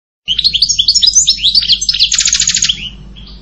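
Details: European goldfinch song: a fast run of bright twittering notes, then a dry buzzy rattle near the end before fading to a faint hum.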